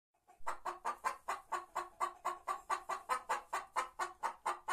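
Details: White Leghorn hen singing: a steady run of about seventeen short, rhythmic clucks over four seconds, each a brief hoarse pulse, evenly spaced and unchanging in pitch, with a quiet background.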